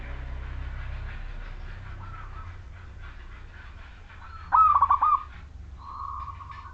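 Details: Zebra dove of the Majapahit local wild type, singing to draw other zebra doves into song: steady rushing background noise, then one clear bubbling trilled coo phrase, followed by a softer coo.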